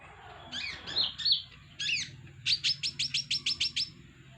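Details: Kolibri ninja, a brown-breasted sunbird kept at home, singing as a lure: a few sharp twittering notes, then a rapid series of about ten high, bright chirps; a man's voice says a word before the song.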